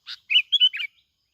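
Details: Singing plain-backed sparrow from Binh Thuan, Vietnam, used to lure others: a brief buzzy opening note followed by three quick, ringing chirps, the phrase lasting under a second.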